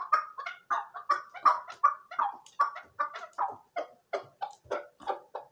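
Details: Chukar partridge repeating sharp clucking chuck notes at a quick pace, roughly two to three per second, fairly even in loudness throughout.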